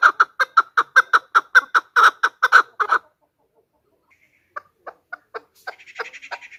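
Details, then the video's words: Female chukar heard as a hunter's lure: three seconds of rapid, raspy clucking chuck notes, then silence, a few sparse softer notes, and a faint thin twittering at the end. "chakor ki awaaz | chakor voices | hunter chakor sound | Голос самка кеклика манок на Куропатка."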